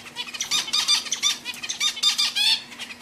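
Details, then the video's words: Several pet zebra finches sing in quick succession, giving loud nasal, buzzy notes rich in harmonics in rapid irregular bursts, with a constant low hum behind. "My Cute Zebra Finchs Singing"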